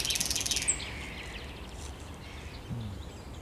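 A thrush nightingale opens with a fast, high rattling burst of repeated notes and a sharp whistle, then fades into faint distant phrases over low rumbling background noise.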